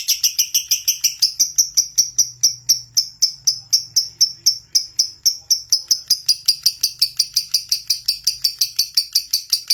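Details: Lovebird singing gacor as a lure to spur other lovebirds: a rapid, rhythmic run of sharp high chirps, about four per second, continuing throughout with faint low hum.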